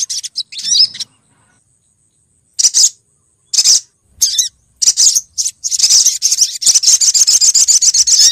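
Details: Olive-backed sunbird female calling a male: scattered short high chirps and squeaks after a long silence, then a fast, steady run of sharp, repeated twittering notes.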